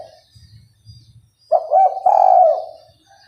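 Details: Spotted dove kept as a trapping decoy, a persistent caller. One loud cooing phrase: a brief note, a rising note, then a long sustained mellow coo that fades out. Soft low thumps come before it.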